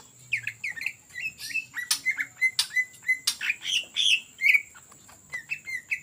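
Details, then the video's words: Greater green leafbird singing ngetrok as a lure for other birds. Bright whistled notes repeat about three times a second, some hooked and rising, others slurred, broken by sharp snapping clicks over a constant high hum. "CUCAK IJO GACOR Ngetrok Cocok Untuk Pancingan"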